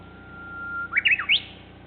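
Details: Japanese bush warbler song, opening with a sustained, even whistled note that swells in loudness, then breaking into a fast, jerky, up-and-down phrase of clear notes that climbs to a high final accent.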